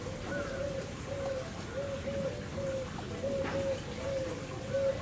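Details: Victoria crowned pigeons, a male and a female kept at Tobu Zoo in Saitama, Japan, recorded 18 September 2020: soft low hooting coos repeated in short pairs about every second, over steady hiss like falling rain.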